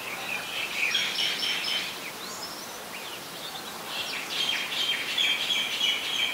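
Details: Oriental magpie-robin song from Ubon Ratchathani, Thailand, 17 November 2021, where it is a very common resident; two bursts of rich whistles and chatter separated by a short pause, over faint hiss.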